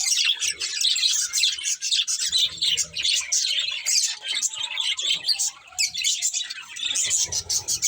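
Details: Busy flock chatter from budgerigars: shrill chirps and scratchy warbles pile on each other, softening slightly around the fifth to sixth second.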